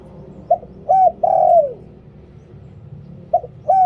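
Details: Liu tan song of a spotted dove used to lure birds. One full three-coo phrase ends in a long descending note, then about two seconds of quiet, then the phrase restarts with a short coo and an arched coo.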